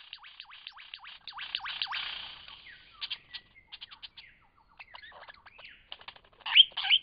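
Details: Lyrebird in Cape Liptrap Coastal Park: a fast run of repeated downward-sweeping whistles, then a mix of varied chirps and rattling notes, ending in loud bright whistled phrases.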